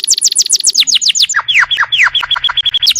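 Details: Canary song recorded as a master for training other birds: quick falling notes in a fast run, then slower downward slurs, ending in a string of short high pips repeated evenly.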